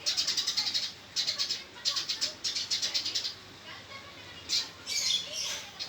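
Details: Male Eurasian tree sparrow in a fight, repeating quick bursts of sharp high chirps, four bursts in close succession followed by a few louder, scratchy notes.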